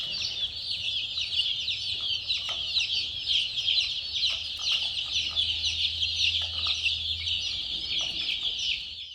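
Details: Dense chorus of chicks giving constant high, thin peeps that overlap into a continuous shrill wash, with a faint low hum underneath.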